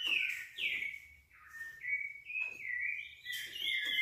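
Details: Green-winged saltator singing its classic-style song: a string of clear, loud whistled phrases, each sliding downward, delivered almost without pause.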